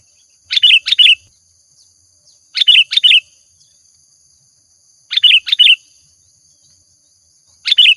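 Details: Sooty-headed bulbul singing for use as a lure, giving a short two-part chirpy phrase repeated about every two and a half seconds, four times, with clean silence between phrases.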